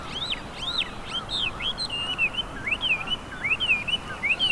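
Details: Chinese hwamei, an introduced invasive bird, singing in spring along a cherry-tree-lined riverbank at Hanamizu River, Hiratsuka, Japan; loud varied whistled phrases, looping up and down, repeated about once per second, faint background rumble.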